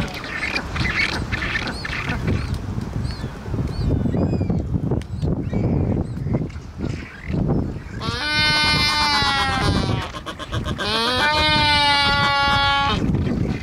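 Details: Black-browed albatrosses courting on Saunders Island, Falklands, give loud, harsh braying calls with strong harmonics in two bursts, over wind and distant colony noise.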